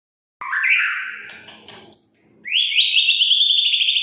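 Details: A white-rumped shama sings a song full of varied phrases, used to provoke other shamas into singing. It opens with a rising whistled slur, then gives a long high piercing whistle and a bright, sustained, buzzy trilled phrase.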